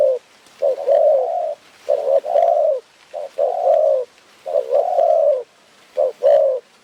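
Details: Spotted dove in the forest of Phrae, Thailand, cooing during bird trapping, in soft, low phrases: a short note then a longer rolling coo, repeated roughly every second and a half, little else audible.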